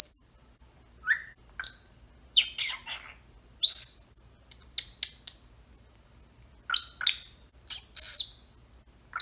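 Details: Senegal parrot shut inside his travel cage, giving a scattered series of short whistles and chirps, some rising and some falling, separated by pauses, with brief clucking notes between them.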